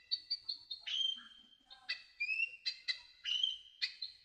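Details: Kolibri ninja sunbird song, masteran recording: rapid chattering chips, rising slurred whistles and buzzy notes tightly packed, repeated about every half second, with no other sounds evident.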